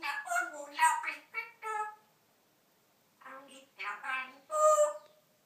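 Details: A pet African grey parrot talking freestyle, chattering in speech-like phrases: a rapid two-second burst of syllables, a pause, then a second run ending in a higher, ringing note.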